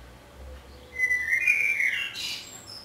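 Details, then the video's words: Common blackbird singing in Budapest on 27 May 2014, recorded from a window hide: a single mellow fluty warble of about a second ending in a brief high squeaky twitter, over a faint low hum. "Fekete rigó énekel / Singing Common Blackbird"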